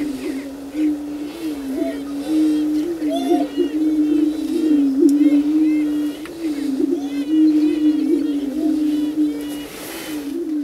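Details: Courtship booming of greater prairie chickens on a lek before dawn while the birds dance: steady overlapping low, resonant cooing moans forming an unbroken drone, punctuated by repeated rising cackles and whoops from many birds.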